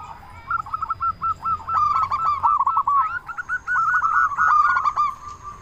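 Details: Local zebra dove with a big voice, singing as a lure to prompt other doves to call quickly: two runs of short, hooked cooing notes at one steady pitch, fired in rapid succession, over a faint low hum.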